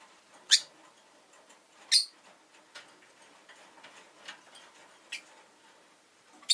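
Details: A rosy-faced lovebird (Agapornis roseicollis) gives sharp, shrill chirps at irregular intervals, four loud ones in about six seconds with softer chips between, over a quiet background; street noise from traffic may be present.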